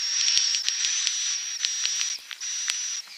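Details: Edible-nest swiftlet sounds played to invite nesting: a long hissing, buzzy tone topped by a steady high whistle, broken by quick clicks, a short pause, then the buzz resumes.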